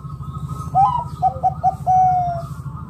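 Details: Local wild zebra dove calling to lure other doves into calling: a short series of soft cooing notes, the first rising, then three clipped coos and one long drawn coo, over a steady low hum.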